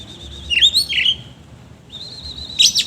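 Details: Oriental magpie-robin, kept bird, singing rough filler phrases: a wavering high whistle sliding into a harsh downward note, a pause, then another long thin whistle ending in a sharp scratchy burst.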